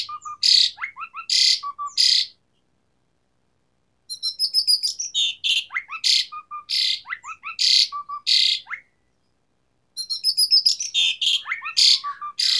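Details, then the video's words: Jalak suren, the Asian pied starling, in full gacor song with varied isian tembakan: three phrases of loud harsh bursts mixed with low whistled notes and downward slurs, separated by short silent gaps. "Pancingan Jalak Suren Gacor Variasi Isian Tembakan | Masteran Suara Burung Jalak Macet Bunyi"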